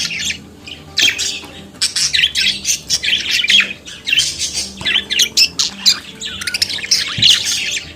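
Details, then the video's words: Budgerigar singing and chattering, an Australian parakeet kept as a pet; a long run of chirps, squawks and grating notes in quick pulses, with a faint low hum behind. "Periquito Cantando e Conversando Sonidos de Periquito Australiano"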